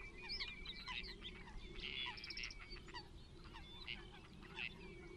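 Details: Water rail at Rutland Water Nature Reserve in January 2022, giving a harsh, squealing burst of stacked notes among busy chatter from other small birds, with a thin steady whine running underneath.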